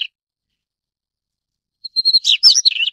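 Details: Daurian redstart singing. A brief note is cut off at the start, then a long silence, then one full phrase: a short pip, a thin level whistle, and a hurried burst of squeaky, chattering notes.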